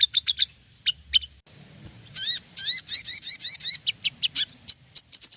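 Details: Ruby-throated bulbul song used as a lure to make birds sing: a few short high chirps, then a rapid sequence of bright upslurred whistled notes, ending in quick sharp chirps.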